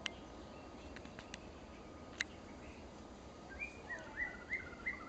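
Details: Female white-rumped shama giving a run of about six quick, sharp whistled chips, each briefly rising then falling, after scattered clicks and taps against a constant background hiss.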